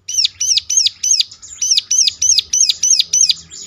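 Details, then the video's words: Bar-winged prinia lure song to make other prinias respond: loud, crisp, high-pitched arched chirps, each rising and falling, delivered rapidly about three per second in a clean, steady series. "ciblek lain ngecLak ikut nyaut || mesti Nyautnya."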